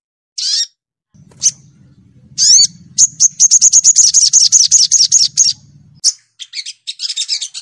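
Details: Indonesian brown-throated sunbird (sogon) in full, clean song: a few separate sharp high chips, then a fast even series of about fifteen bright repeated notes, ending in scratchy twitters over a low background hum.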